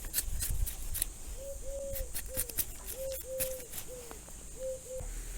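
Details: A wood pigeon coos softly in June during pear grafting in a garden, a rhythmic short-long-short phrase of about eight hoarse hooting notes over four seconds, behind clicks and tapping from nearby work.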